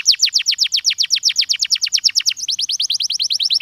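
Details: Canary singing a stimulating song: a steady, rapid series of sharp falling notes, roughly eight per second, changing midway to a slightly softer, rising-then-falling repeated syllable.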